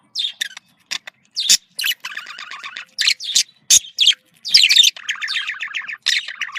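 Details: Australian parakeet, or budgerigar, chattering in a communication call: clipped squeaks and chirps alternate with stretches of fast, scratchy, rattling warble, the notes bunched in lively groups.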